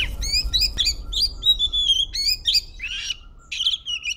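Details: Oriental magpie-robin in highly excited, nonstop song meant to stir other magpie-robins into singing; rapid, varied whistles and sharp chirps, some rising and falling, tumbling out several per second with brief pauses, over a low background rumble.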